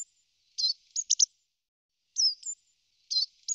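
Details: Great tit calls played slowed down: short sharp high notes in clusters and a brief falling slurred note, separated by pauses, with no other sounds.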